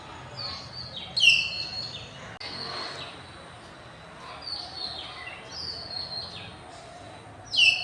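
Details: Common hill mynas in afternoon light on a campus, 6 February 2024: loud shrill whistles at start and end, with many softer descending whistles from surrounding birds between them.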